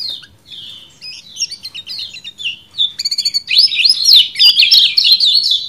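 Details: Caged kecial kuning, a bulbul, recorded as a long tutor recording for training other birds: fast, high, sharp chirps and twittering phrases, rising into a dense, loud warbled run near the end.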